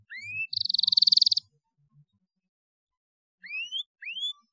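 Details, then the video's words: Canary song used to stimulate young canaries to sing: rising whistled sweeps, a fast buzzy trill of about a second, then more upward-slurred whistles after a pause, with faint low background noise. "CUITAN KENARI UNTUK MERANGSANG BUNYI KENARI PAUD"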